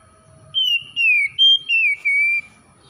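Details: Oriental magpie-robin, a raw 'bahan' bird, singing 'gacor': five loud pure whistled notes in quick succession, each slurring gently downward, with one higher steady note in the middle, soft rumble in the background.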